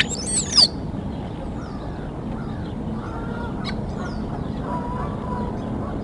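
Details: Bald eagle at the Decorah nest early in the morning, 23 February 2021. A single loud, high, whistled note sweeps steeply downward within the first second, then only a few faint high chirps over steady low background rumble.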